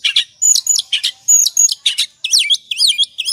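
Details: Oriental magpie-robin singing in the excited ngobra style, used as a lure to provoke singing. Dense, loud bursts of high chirps and harsh notes give way to quick rising and falling whistled sweeps.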